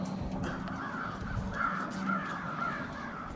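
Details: Gathering crows on a Brattleboro, Vermont street, 16 February 2021, in winter: a dense chorus of raspy caws, several birds calling at once in short bursts, with a low droning hum beneath.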